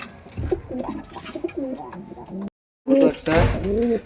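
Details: Domestic Giribaz (high-flying) pigeon at its loft, a male sitting on eggs and its mate calling below: soft, low, rolling coos, with a man talking over them.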